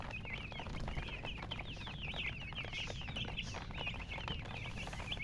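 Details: Hen chirping with rapid, high squeaky chirps repeated almost continuously, each a short rising-falling note, over a steady low rumble of background noise.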